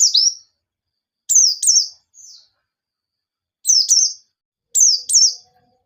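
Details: White-eye singing vigorously in wild 'ngalas nembak' style, used as a lure to get untrained white-eyes singing: sharp, very high whistled notes that slide downward, mostly in quick pairs, with pauses of about a second between bursts, plus a faint softer trailing note.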